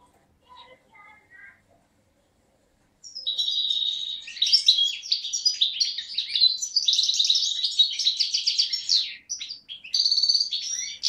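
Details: Young European goldfinch hatched in 2011, from Beni Snassen on the Morocco–Algeria border, recorded 8 January 2012: after two seconds of faint low notes, a long fast twittering song of bright tinkling and buzzy trills, rich and continuous for eight seconds.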